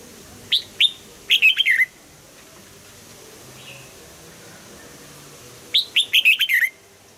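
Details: In double-note old-forest style, a red-whiskered bulbul sings two lively whistled phrases, each opening with separate upslurred notes and ending in a rapid rolling run, roughly five seconds apart.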